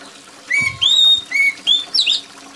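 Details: Oriental magpie-robin delivering five quick, loud whistled notes, mostly rising slurs ending in a twisting high flourish, against a soft rain and trickle backdrop; played to get sluggish magpie-robins singing.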